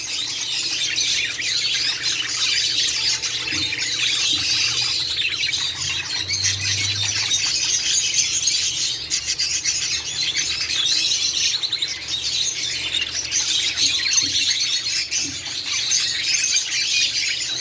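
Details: A male-female breeding pair of budgerigars chatter nonstop in a dense stream of high, scratchy warbles, squeaks and chirps.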